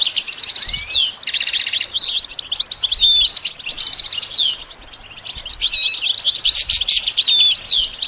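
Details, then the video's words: Goldfinch song, a varied chant of musical notes: bursts of high twittering, a dense buzzy trill, thin whistled slurs and chirps, with a short quieter gap midway. "The basics of training the goldfinch to sing"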